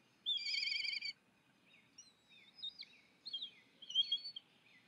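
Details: Begging black kite giving a loud quivering, wavering trill of about a second, followed by softer scattered whistled notes and short slurred calls.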